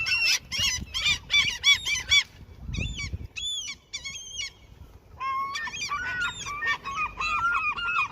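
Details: Seagulls being fed near a fishing spot in their territory, where they otherwise attack: a rapid run of arched, nasal calls for two seconds, then scattered single cries and another overlapping burst from several birds.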